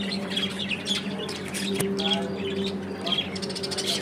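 A budgerigar chirps and chatters in quick, scratchy bursts over a steady low electrical hum.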